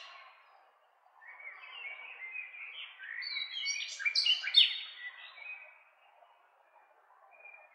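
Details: Varied nightingale song of mixed buzzy and whistled phrases that swell to a loud peak around the middle, then quieten to a faint thin whistle.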